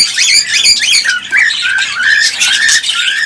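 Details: Cockatiel sound said to stimulate mating and breeding: dense, overlapping squawky warbles and chirps with rising and falling whistled notes, nearly continuous throughout, suggesting several birds calling together.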